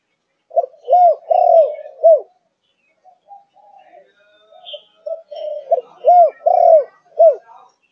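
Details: Four-month-old Malaysian spotted dove of the thuc gu cooing line, giving low, mellow cooing phrases: a short note, a drawn-out coo and a clipped final note, a pause, then the phrase repeated.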